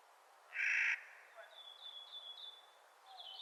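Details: One harsh, grating call from a Clark's nutcracker in spring, followed by faint high whistled notes of other birds.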